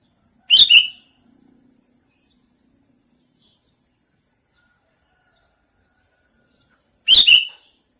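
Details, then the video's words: Sooty-headed bulbul call: two short, bright, slightly harsh double-noted bursts about six and a half seconds apart, separated by near silence with faint background ticks. "Suara burung kutilang panggilan"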